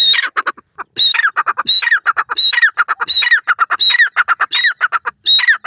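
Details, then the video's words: Harsh, rhythmic calling of a grey francolin, whistled high notes leading into descending squawks and quick short notes, phrases repeated steadily under a second apart. "dakhni teetar R next teetar ki boli,teetr awaaz"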